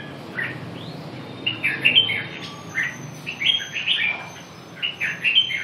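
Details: Red-whiskered bulbul giving short, lively warbled phrases repeated every second or so, with a quiet hiss and faint high tone in the background.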